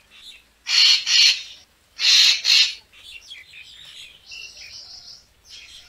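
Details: Racket-tailed treepie used as a bird-photography lure, giving two loud doubled rasping calls, followed by a longer stretch of quieter twittering and buzzy whistled notes.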